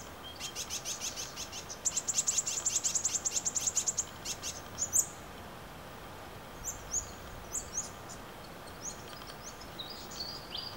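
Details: Brown-headed honeyeaters, a family group in the You Yangs west of Melbourne, plucking koala hair for nest building; a quick run of high, thin chattering notes lasts about two seconds, followed by scattered sharp chips and squeaks.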